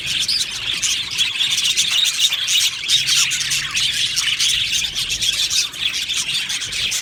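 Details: Budgerigars chattering in an aviary colony, a constant stream of high chirps, squeaks and scratchy warbled notes from a large flock.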